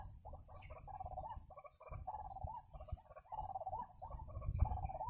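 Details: A white-breasted waterhen in a bird-trapping setting gives a mix of short hollow notes and longer warbling, rolling phrases in irregular bursts. Low thumping and handling noise is heard underneath.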